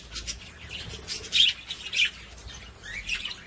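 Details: Budgerigar song to stimulate females to mate: bright high chirps in short bursts, two louder squeaky notes close together, soft chatter between.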